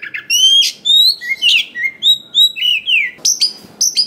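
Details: Forest-stock Oriental magpie-robin singing, meant to trigger singing and fighting spirit in other magpie-robins. A steady run of pure whistled notes, each slightly different in pitch, about two per second, ending in sharp high chips.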